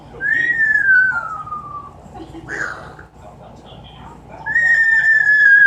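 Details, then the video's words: Captive Amazon parrot mimicking a falling bomb: two long descending whistles, the first sliding down over about two seconds, a brief squawk between them, the second starting high near the end. "The many sounds of an amazon parrot."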